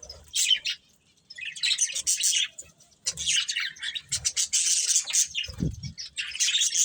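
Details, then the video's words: Pair of breeding budgerigars chirping in high, grating twitter bursts separated by short silences, the chatter swelling into longer runs toward the end, with a brief low thump midway. "Colourful Budgies Chirping Sounds"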